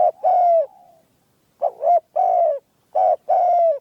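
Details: Spotted dove kept caged as a decoy, with a clear, small voice. It opens with a long falling coo, then gives double-noted coos and more drawn-out coos in quick succession.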